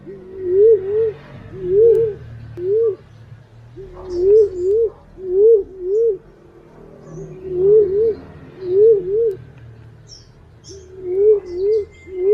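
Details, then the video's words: Green pigeon voice for luring: a long series of wavering whistled phrases, each two or three rising-falling notes, repeated roughly every second and a half, with faint low rumble and scattered clicks. "Suara burung punai/walik ampuh buat pancingan"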